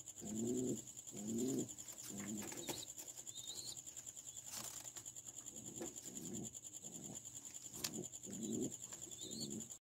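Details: Low, throaty pigeon coos in short uneven phrases, clearer at the start and near the end, with faint high chirps from other birds and a steady high-pitched hum throughout.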